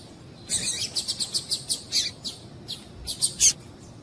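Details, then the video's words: Calls of a female double-collared seedeater, used to get males singing: a rapid run of high, dry chips repeated several times a second, briefly pausing, then a few louder spaced notes. "Piado de Fêmea de Coleiro para Esquentar Coleiro"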